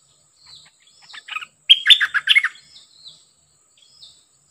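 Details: Encounter between a decoy bird and a very aggressive wild-caught bird: faint whistles leading into loud, rapid, harsh chattering phrases, then sparse soft slurred notes fading out.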